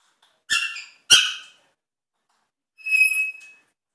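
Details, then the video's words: Pet African grey parrot doing sound effects: two loud, harsh, raspy squawk-like bursts in quick succession, a pause, then a steady, ringing whistled tone with rich overtones lasting under a second. "African Grey does sound effects"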